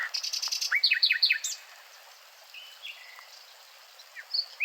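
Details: Nightingale song with a quick stuttering run of high notes, then loud repeated downward-slurred whistles, followed by softer, scattered whistled notes with gaps between them.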